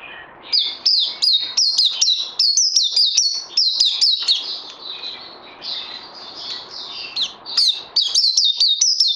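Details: Songbird recorded 18 May 2020 while in training, delivering long runs of loud, clear whistles that slide downward, repeated quickly with a short quieter stretch midway.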